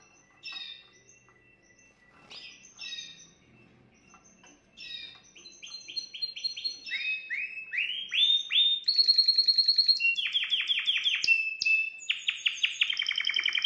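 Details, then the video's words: Canary song played to stimulate a female: starts with scattered chirps, then builds into loud rapid trills of repeated rising notes, several syllable types in quick succession, ending in high sustained rolling phrases. "Exciter votre femelle de canari"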